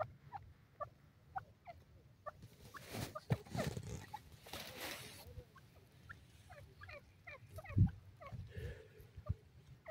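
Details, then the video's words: Male grey francolin on its first day in the jungle, announcing its presence: short downward-curving notes repeated in quick series, faint against steady low rumble and handling noise, with a louder burst of broadband noise midway. "nar teetar ki awaz pehla din jungal mn,male partridge bird ke boli"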